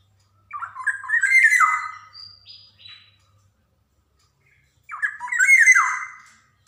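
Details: Black-naped oriole from Java, sung as a master recording to get young kepodang singing: two rich whistled phrases with varied slurred notes and a brief higher buzz between them, separated by a few seconds of silence.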